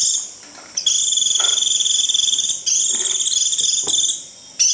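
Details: Shrill 'rít' call of a Japanese white-eye used to call in its flock: two long, high, pulsed buzzing trills of nearly two seconds each, with a short gap and a faint background clatter.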